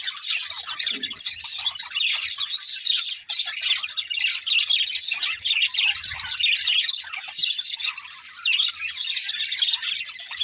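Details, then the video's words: Parakeets singing and playing, said to be happy, give an unbroken stream of high chirping and warbled twitters from several birds, with a soft low thud around six seconds. "Budgies Chirping Sounds | Happy Parakeets Sing and Playing"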